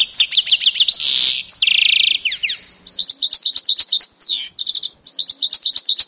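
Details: Canary-goldfinch mule from 2018 sings a fast, varied song: rapid rising slurred notes, a loud buzzy trill, then dense chattering twitters with sharp chips, continuous throughout.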